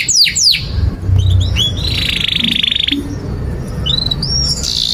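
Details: Canary in full song for training young birds: two sharp falling whistles, a flat buzzy trill lasting about a second, then soft rising whistled notes, with a low background rumble.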